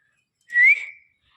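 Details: A pet parrot that talks in Hindi lets out a single quick whistle that rises, breaks off sharply, and trails away in a soft fading hiss. The room is quiet, with Hindi speech from its keeper around it.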